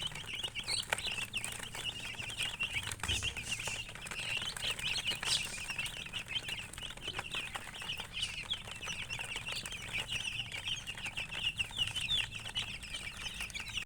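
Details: Chicks chirping steadily over a longer stretch, a continuous chorus of high thin peeps from many birds, with scattered clicks, scratching and occasional soft flapping.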